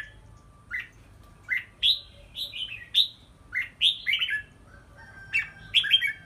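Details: Caged red-whiskered bulbul during stamina training in a hanging bamboo exercise cage, singing a steady run of short, rising-then-falling whistled phrases, roughly one every half second to second, with a faint steady tone in the background.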